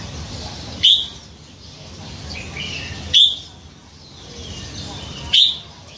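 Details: Red-whiskered bulbul kept in a cage for nine months after being caught by hand as a fledgling; three short, sharp whistled notes, evenly spaced about two seconds apart, over a steady low hiss.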